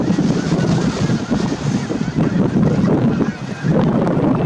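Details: Snow geese at Merced National Wildlife Refuge in January, a dense flock giving overlapping honking calls in a steady chorus, with heavy wind rumble across the microphone.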